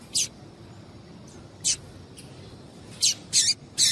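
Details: Female double-collared seedeater calling to stimulate the male: brief, very high, sharp chip notes spaced irregularly, about five across a few seconds, two close together near the end, over a faint low hiss.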